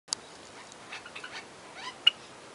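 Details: Budgerigars of various colour varieties in a home aviary give soft, scratchy chirps and brief warbling notes, with two sharp clicks near the start and end of the recording.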